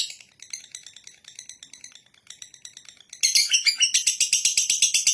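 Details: Lovebird ngekek song: soft, uneven high ticking builds abruptly into a loud, rapid, buzzy chatter of about four pulses per second.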